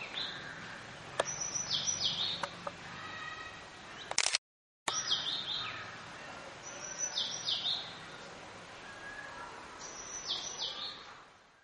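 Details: Scarlet minivets in the Eastern Ghats at Maredumilli, Andhra Pradesh, January 2011; sweet high downslurred whistles come in small clusters every few seconds, over soft forest ambience and other distant bird notes.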